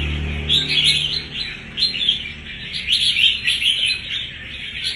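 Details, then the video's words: Red-whiskered bulbul, a recently caught wild bird one month in a cage, singing with fighting spirit; a low hum at the start, then bursts of sharp chirpy warbling recurring about once a second. "Một con bổi mới về một tháng Mà thể hiện phẩm chất lì đòn Phách chơi thì quá chất"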